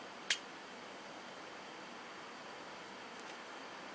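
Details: Cockatiel sneezes while preening: one tiny, sharp sneeze, a quick dry puff near the start, followed by a faint second puff against a steady indoor hiss.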